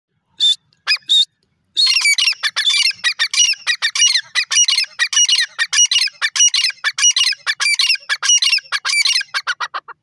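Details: Grey francolin calling: a few loud harsh notes, then a long fast series of grating, ringing calls repeated about ninety-five times a minute, loud and close with a quiet background.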